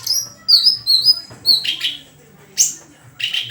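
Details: White-rumped shama song: clear whistled notes sweeping high and gliding downward, a run of short slurred phrases, then loud rough bursts after a brief pause, with a faint low hum underneath.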